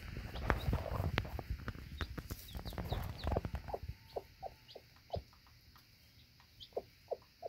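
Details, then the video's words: Mother hen and a newly hatched chick, about one day old, eating feed sprinkled outside the nesting box: a few short low clucks repeated in a loose series, thin high downslurred peeps, with scratching and rustling early on. "New chick and mother hen eating"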